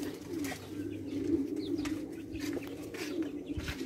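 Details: Iranian Tabrizi Agharan pigeons keep up a continuous low, throaty cooing drone, overlapping voices blending into one murmur, with soft scattered clicks.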